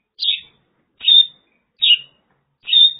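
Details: Mongolian lark in China giving four short, bright, slightly buzzy chirped notes, high-pitched and spaced under a second apart, against a quiet background.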